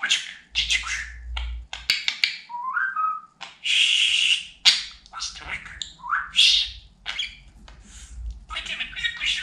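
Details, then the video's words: Pet talking budgerigar chattering in scratchy, high-pitched, speech-like bursts mixed with short rising whistled notes, separated by brief pauses, over a faint low hum. "Konuşan Muhabbet Kuşu"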